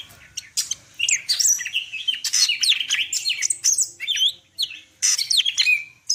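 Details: Greater green leafbird of the Medan type, a singing cage bird, in full varied song with imitations: dense run of sharp chirps, slurred whistles and buzzy notes sweeping up and down, phrases tumbling one into another with short pauses.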